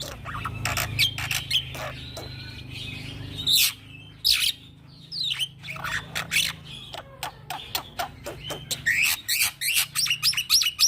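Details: A young black-winged myna, recorded for training and luring birds, gives a mix of harsh chatter, rasping squawks and clicking notes, with a rapid burst of ticks near the end over a low hum.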